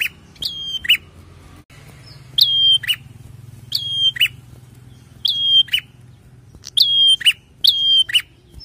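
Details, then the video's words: Prinia singing, used to get cage birds singing: repeated phrases of a sharp whistle dropping to a steady high note plus a short buzzy trailing note, about five phrases at uneven intervals, with low hum behind. "SEKALI PUTAR PRENJAK LANGSUNG BUNYI dan Tambah gacor!!"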